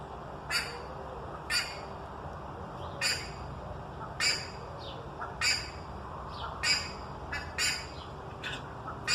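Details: Buff-necked ibis, known locally as curicaca, giving loud harsh squawking calls repeated roughly every second, broad noisy bursts over a steady background hum.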